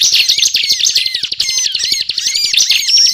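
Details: Continuous 'ngebren' song of a prinia (ciblek), meant as a lure for trapping: rapid rattling chatter with buzzy trills and rising slurred notes, delivered without pause.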